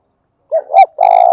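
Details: Spotted dove in the thúc bổi and gáy gọi cooing styles: a soft low note, a louder swelling second note, then a long, rich, steady hoot cut off abruptly. The surroundings are silent.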